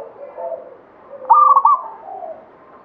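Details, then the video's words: Local zebra dove (perkutut) of the katuranggan Banyumili type, singing actively: soft low cooing notes with a brighter trilled burst in the middle, against a quiet background. "SUARA PERKUTUT LOKAL KATURANGGAN BANYUMILI GACOR"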